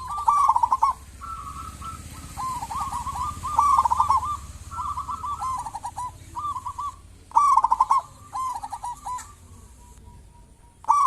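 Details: Zebra dove of local stock in full song, used as a lure for other zebra doves to call: continuous rolling coo phrases with stuttering starts and drawn-out mellow notes over eleven seconds.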